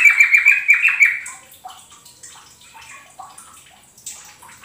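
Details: Kept yellow-vented bulbul singing as a lure for training other kept birds: about six bright, clipped whistled notes in quick succession, then faint scattered chirps and squeaks trailing off.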